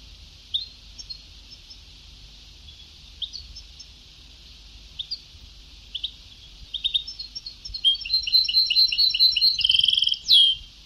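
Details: European goldfinch singing in the Ceuta (sabtawi) style from an old song tape: scattered high twittering notes, then a rapid burst of bright, jingling trills and a final buzzy sweep near the end over faint tape hiss.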